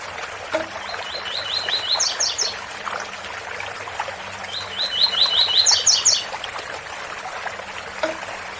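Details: Rusty-collared seedeater repeating its 'tui tui' song twice, a few seconds apart: each phrase is a series of rising whistled notes ending in three higher buzzy notes, set against continuous waterfall sound.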